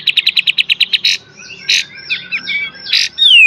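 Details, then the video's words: Pied triller, a caged songbird recorded as a master song for training other cage birds, in full beset and tembak style: a fast run of nine sharp buzzy notes, then bursts of rich chattering notes and a final high descending whistle. "KAPAS TEMBAK FULL BESET DAN TEMBAK"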